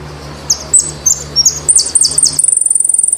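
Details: Saffron finch, the Argentine jilguero, singing a series of high, sharp downslurred notes that speed up into a rapid, even high trill at the end; faint low hum underneath.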